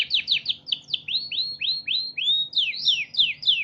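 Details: Canary song played to train other birds to sing; a rapid series of clear, high downward-sweeping whistled notes, about three per second, with some longer rising slurred notes in the middle.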